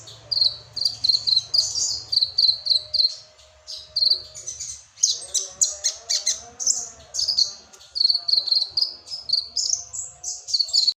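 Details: Sunbird from Indonesia's songbird hobby scene delivering song filled with cricket imitation: fast, high, cricket-like chirping trills in repeated bursts, broken by short pauses, with a soft low hum beneath.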